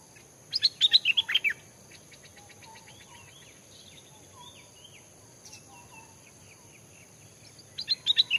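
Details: Caged Stripe-throated Bulbul, freshly caught and kept only days, hanging in forest near home during decoy training: a loud burst of rapid bubbly notes, softer scattered chirps and short slurred calls, then another lively burst; constant high-pitched droning behind.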